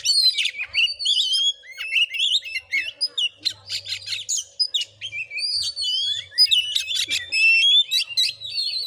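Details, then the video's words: Oriental magpie-robin singing aggressively as a fighting bird in Padang Gading village, Sungai Rumbai, Bengkulu: dense high whistled phrases alternate with clusters of sharp clicks and rasping notes, almost continuous, faint hum below. "Kacer tarung|pancingan Kacer gacor|Kacer Konslet|burung Kacer"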